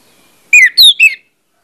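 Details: An Orange-headed thrush gives a quick three-note phrase, played as a lure to make birds sing: each note is a slurred, bright whistle, the middle one highest, with no background noise.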